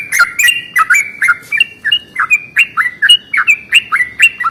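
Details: Morning song of a Yellow-vented bulbul, a long roll used as a lure to make other bulbuls sing. Bright, liquid chirps follow in a steady, quick series, some notes rising and others falling, with a quiet background.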